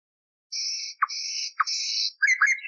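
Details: Common nightingale song from an old recording cleaned of noise, used for canary training: three long buzzing notes divided by short dropping clicks, ending in quick twisting chirps.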